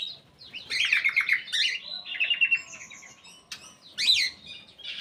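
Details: In an aviary, an actively singing black-capped bulbul pours out bright, fluty warbled phrases and rapid trills, falls quiet for a moment, then adds one sharp, rising whistled note.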